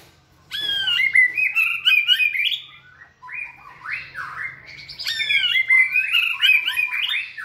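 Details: White-rumped shama in a flight cage during training, singing vigorously: two long bursts of rich, rapid whistled and warbled phrases with sharp upward slurs, separated by a brief dip between them.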